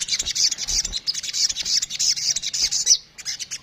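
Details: Sogok ontong, the crimson sunbird, in fast kemrecet chatter: a dense stream of very high, thin, buzzy twittering notes pouring out almost without a break, stopping briefly near the end before a few more chips.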